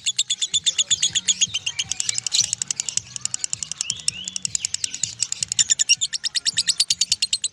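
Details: Ngekek singing from a lovebird, a continuous chatter that runs past one minute: a dense stream of high, clipped chirps, briefly interrupted around the middle by a rising squeaky note before the fast rhythm resumes.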